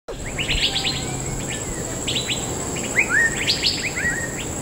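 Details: Large, noisy group of Asian fairy-bluebirds gathered in a fruiting tree in Bukit Timah Nature Reserve toward dusk, calling over one another in bursts of sharp chirps and liquid, sliding whistles, with a steady high insect hum.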